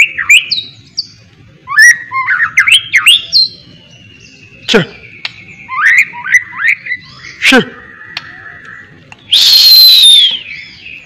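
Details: White-rumped shama in mental training, song filled with miwah imitation: rising and falling whistled phrases, a drawn-out thin whistle, sharp knocks, and a harsh noisy burst near the end.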